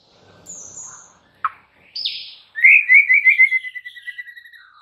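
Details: White-rumped shama singing, played to get a quiet bird to sing: a high thin whistle, a sharp chip and a buzzy note, then a loud rapid trill of repeated notes fading steadily.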